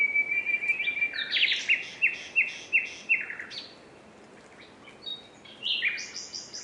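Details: Common nightingale song opening with a pulsed whistle, then loud repeated slurred notes roughly every third of a second, a pause, and a high rapid trill at the end.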